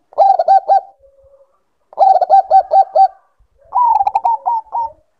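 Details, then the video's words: A zebra dove of the Bangkok strain in breeding condition gives three quick bursts of rattling, stuttered coos. The last phrase rises slightly and breaks into separate soft notes. A faint low hum follows the first burst. "Naikan Birahi Perkutut Bangkok"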